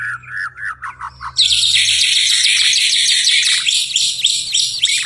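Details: Singing at night, a white-rumped shama gives a few soft down-slurred whistles, then breaks into a long, loud, unbroken stream of very high buzzy trilling.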